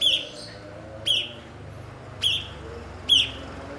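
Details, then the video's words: Cucak cungkok (blue-winged leafbird), a fluent imitator of other birds used as a tutor for songbirds, gives four loud, clipped chirps with a quick downward slur, roughly one per second, against a soft low background hum. "MASTERAN BURUNG BERKICAU "CUKOK""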